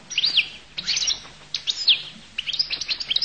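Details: Goldfinch singing in short bursts of bright, high twittering notes with quick downslurred whistles, separated by brief pauses.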